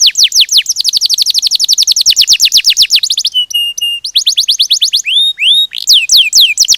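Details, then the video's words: Canary rolling song of rapid falling chirps in a long trill, a short pause with steady tonal notes, then rising whistles and fresh sweeping chirps. "Kenari Ngerol Gacor"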